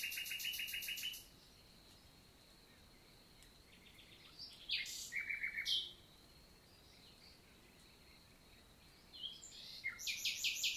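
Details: Summer morning song of a common nightingale, Lot, south of France, June 2023: opens with a loud, fast rattling trill, falls silent, then gives short scattered notes and ends with another rapid, bright repeated series.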